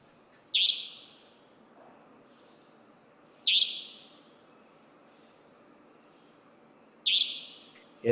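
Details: Common Nighthawk giving loud, harsh, nasal buzzy peent calls, three in eight seconds at about three-second gaps, over a faint steady high whine and low rumble; call likened to an alarm, disruptive when heard overnight in urban centres.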